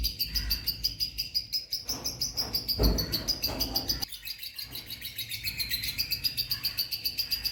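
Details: Two pet lovebirds chirping: continuous rapid, high-pitched chirping in a steady rhythm, a few notes sliding slightly up and down, with a dull thump near the middle and low background rumble.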